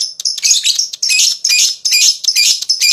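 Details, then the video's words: Lovebird in full 'ngekek' chatter, meant to spur other lovebirds: loud, continuous shrill rasping in pulsing phrases with barely any gaps. "Suara LoveBird Terapi,Rangsang Lawan Cepat Ngekek,LoveBird Ngekek Gacor"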